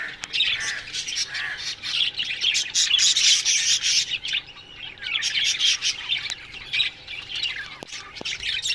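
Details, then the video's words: Budgerigars in an aviary colony chirping in the morning: a dense, busy chatter of high twittering notes and short squawks from many birds, swelling and easing, with a brief quieter dip near the middle. "Budgies Morning Chirping Sounds"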